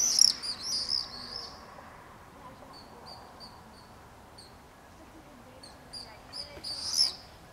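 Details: Common swifts in a street in Beek Ubbergen, the Netherlands, on July 22nd 2012, two pairs nesting at a house plus other birds joining screaming parties. Shrill, buzzy high screams come in loud bursts at start and near the end, with fainter short screeches between.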